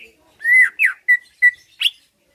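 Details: Short burst from a kept greater green leafbird, singing to provoke replies and fighting: a rising slurred whistle followed by four clear, short whistled notes, spaced evenly, in a quiet setting.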